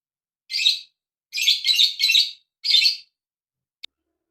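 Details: Lovebird giving four bursts of harsh, buzzy chirps, the middle burst a quick run of three notes, then a tiny click at the end; no other sounds in a quiet setting.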